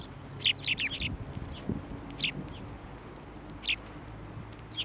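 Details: Sparrows flying onto a hand to take food at a Tenmangu shrine in January 2024; a quick cluster of sharp chirps, then single high chirps at irregular intervals over light background noise.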